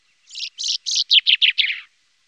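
A common chaffinch sings a quick run of about eight bright, buzzy notes that slide lower and speed up over under two seconds, with no other sounds.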